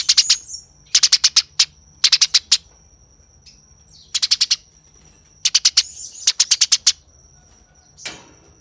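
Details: Eurasian tree sparrow fighting, with clipped groups of three to six harsh chips repeated at intervals, a steady high-pitched hum running underneath.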